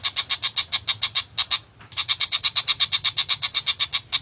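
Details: Tiger pentet, a long-tailed shrike, in energetic song: a rapid chain of harsh, high-pitched chips, a short silent gap midway, then a denser run of the same notes.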